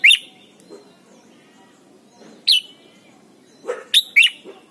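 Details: Red-whiskered bulbul song used to teach young birds singing: widely spaced sharp, bright whistled notes with downward slurs, a single note near the start, another midway, and a quick cluster of three near the end, over soft low noise.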